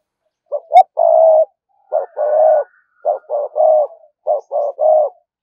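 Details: Spotted dove decoy bird giving a steady 'thúc gù' cooing series to lure wild doves: short clipped notes followed by long, even, mid-pitched coos, in three phrases about a second apart with quiet gaps between.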